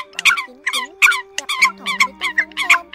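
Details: Eurasian coot lure for trapping at season's end: loud, harsh, rasping notes repeated about three per second, with a steady tonal hum beneath.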